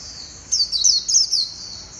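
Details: White-eye recorded 11/7/2021, singing a thin, very high warbling phrase of quick wavering notes lasting about one second against quiet background.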